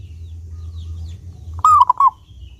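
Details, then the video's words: Local Indonesian zebra dove, a clear-voiced, actively singing bird used as a lure to get other doves singing, gives one loud cooing phrase: a long note falling into two short clipped coos, over a low steady hum. "Perkutut Lokal Gacor Suara jernih ini Paling Ahli bikin Pancingan Burung Perkutut Agar rajin Bunyi"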